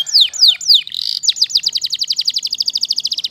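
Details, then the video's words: Waterslager canary opens with three loud down-slurred whistles, a brief buzzy roll, then a fast, steady series of repeated high notes. "Canary Waterslager Singing"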